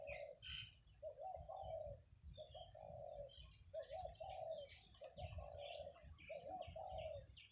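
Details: Zebra dove kept by a buffalo herder, singing on a morning of 17 July 2023 in the countryside: a steady run of short, purring coo phrases, each about a second apart, over twittering of small birds.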